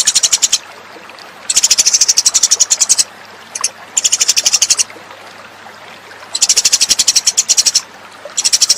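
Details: Lure call of the Eurasian tree sparrow for attracting birds: bursts of rapid, high-pitched chirps about a second long, separated by quiet gaps, with one short isolated note between bursts.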